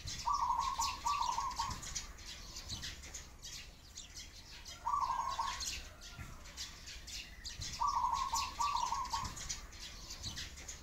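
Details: Pigeons crying among sparrows: short grating mid-pitched bursts come in three bouts, roughly every three seconds, while sparrows keep up a steady scatter of high chirps throughout.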